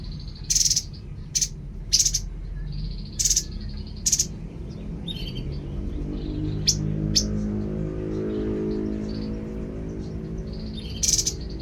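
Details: Babbler (tepus) singing: harsh, broadband chattering bursts at irregular intervals, joined by thin, steady, high trilled notes, over a constant low rumbling hum that swells in the second half.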